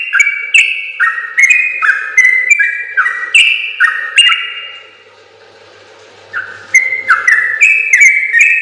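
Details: Yellow-vented bulbul singing a long rapid 'ropel' sequence meant as a model for other birds: stepped falling whistles repeated quickly, a quiet gap of about two seconds, then the pattern resumes.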